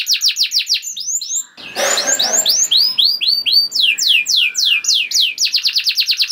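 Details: Canary song meant to stir other canaries into singing. Series of clear, downslurred whistled notes repeat at a steady pace, with a brief noisy rustle near two seconds. Faster note runs follow toward the end.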